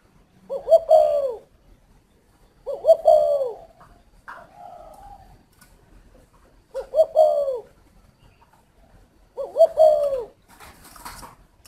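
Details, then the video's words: Spotted dove from an aviary in Ba Vì district, Hanoi, Vietnam, repeating a throaty, rolling coo phrase four times, about every two to three seconds, with a quieter coo between phrases. "chim cu thổ"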